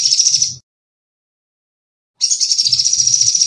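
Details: Sunbird in energetic song, used for masteran training and lure recordings: high, dense buzzy trilling that breaks off, leaves a silence of about a second and a half, then returns as a long steady shimmering trill, with faint low thumps underneath.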